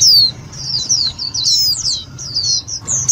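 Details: Lure recording of Indian white-eye calls for trapping and stirring up other white-eyes, a rapid string of high, sharp downslurred tweets tumbling together, with a steady low hum underneath.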